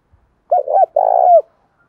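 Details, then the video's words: Calling spotted dove in the Đồng Thổ voice, a lure call for wild doves: a clipped two-part coo, then a sustained burry coo that slides down at the end. "Tiếng cu gáy giọng Đồng Thổ ,Gáy gọi +Thúc/gù"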